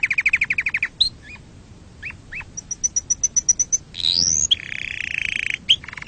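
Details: Canary song to train chicks and for courtship: a quick rolled trill, isolated upslurred notes, a high ticking run, a long rising sweep and a buzzy rolled trill.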